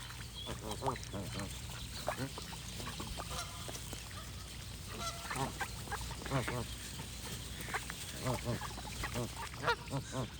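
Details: Goose honks come in repeated clusters, harsh and nasal with stacked overtones, scattered across the stretch alongside thin birdsong and a low steady hum.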